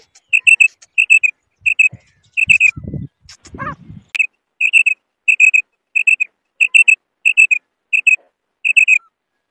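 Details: Clear two-note calls from a female quail repeated regularly, about one pair every half second, with a short stretch of low rustling and thumping handling noise in the first half.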